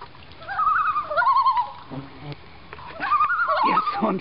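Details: Two loons on a lake in Maine give a wavering tremolo, a short low sound, then another quavering outburst. A brief pause separates the laughing phrases.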